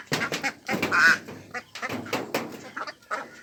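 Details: Ducks at a pond, a mix of Mandarin ducks, mallards and Pekin ducks, giving harsh, nasal quacks in quick uneven bursts, several overlapping, with short pauses between volleys.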